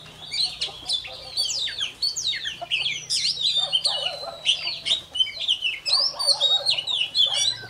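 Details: Morning voice practice of a newly caught Oriental magpie-robin: continuous, varied song of swooping whistles, quick trills and sharp upslurred notes, delivered loudly and densely for the whole stretch.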